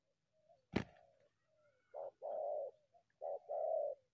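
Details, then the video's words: Spotted dove in the wild, coming from bushes to attack a decoy; a loud click opens, followed by two pairs of soft, hollow coos, each a brief note then a longer one. "terkukur unik selalu masuk dari semak hajar pikat"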